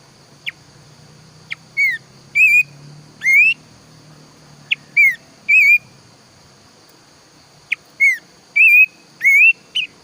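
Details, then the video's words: Planduk semak bird, loud and lively, a singer of the morning and toward evening: clear whistled notes, some rising and some wavering, in loose groups of two or three, with a few sharp clicks and a steady high hum throughout. "SUARA BURUNG PLANDUK SEMAK GACOR"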